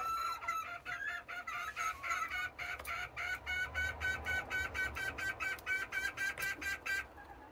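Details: Serama bantam hens at morning, noisy while waiting to be let out; a rapid run of harmonic, nasal squawks repeated about four times a second, steady and insistent, with faint low background rumble.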